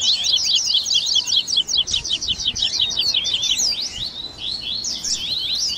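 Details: Captive double-collared seedeater recording used to warm up a bird and get it singing: a dense, rapid run of sharp, high chirps and zipping notes, nearly continuous, easing into looser twitters near the end.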